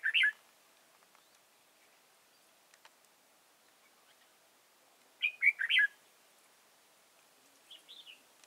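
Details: Red-whiskered bulbul decoy used to trap wild birds at Chùa Hương, 31 March 2018, singing short warbled phrases of four or five quick liquid notes, two bursts several seconds apart, then a fainter softer phrase near the end.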